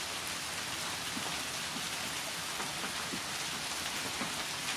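Steady rain patters on a surface throughout, a dense even hiss with no animal voices and no music.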